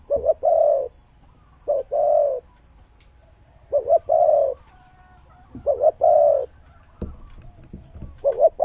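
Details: Decoy spotted dove praised for its voice gives repeated low, hollow coo phrases, each a short broken lead-in and a long coo, with a sharp click and brief rustle near the end.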